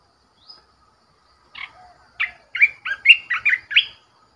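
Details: Red-whiskered bulbul decoy bird singing: a burst of about eight quick, fluty whistled notes rising and falling, packed into two seconds after a brief high opening note and a soft lower whistle.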